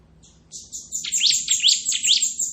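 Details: Ngebren singing from a bar-winged prinia (ciblek kristal): rapid rising chirps woven into a continuous very high, buzzy trill.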